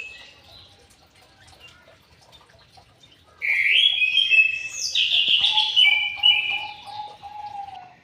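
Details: White-rumped shama in an aviary: quiet start, then from about a third in a loud, rich, fluty song of tumbling whistled notes and trills, ending with a lower repeated whistle series.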